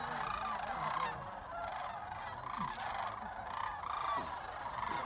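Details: Sandhill cranes coming in at Jasper Pulaski as they return from feeding in nearby fields; a dense chorus of rolling, trumpeting calls from many birds merges into a continuous roar, with occasional clearer low notes.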